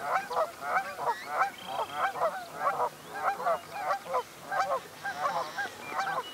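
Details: A flock of Yellow-headed blackbirds in nesting reeds at Benton Lake National Wildlife Refuge, central Montana, gives harsh, nasal chucks about three times a second in a steady overlapping chorus.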